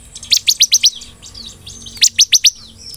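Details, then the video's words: Close, loud Bar-winged Prinia (ciblek) song in the 'nembak belalang emas' style: two quick bursts of five and four bright, sharp, high notes, each note slightly downslurred. "BURUNG CIBLEK GACOR NEMBAK BELALANG EMAS"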